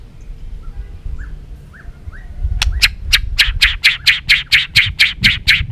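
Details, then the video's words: White-rumped shama, kept for song training: after a few faint soft downslurred notes, a loud series of harsh, rasping chack notes repeated about twice a second, growing stronger toward the end. "chòe lửa hót nhiều giọng rừng hay"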